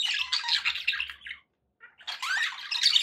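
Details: Pet budgies indoors: a run of scratchy squawking chatter, a short gap of silence, then more raspy calls with a quick rising chirp.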